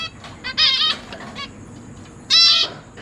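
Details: Zebra finches in a large cage, parents feeding their newly fledged babies. Two loud nasal calls stand out, each lasting about a third of a second, with softer calls between them.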